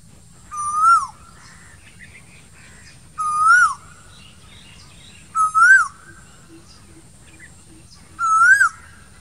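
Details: Asian koel calling in summer among green trees: clear rising whistled notes, each sweeping upward then dipping, given four times at roughly two-and-a-half-second intervals, over a low steady background hum.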